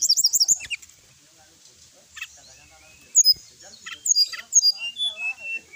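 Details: Sooty-headed bulbul song for training other birds: an opening run of rapid high twittering notes, then scattered whistles and a series of loud, sharply slurred calls, with faint background noise.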